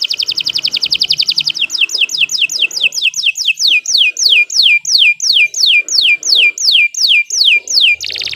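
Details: Canary singing long and lively, a master tutor for other birds: quick high trill giving way to a steady run of loud downward-sweeping notes about three per second, ending in a renewed trill.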